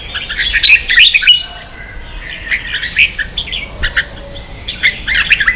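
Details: Training song for young birds from a red-whiskered bulbul, ché style: rapid jumbled warbling in several bursts, quicker chirps repeated about three or four per second.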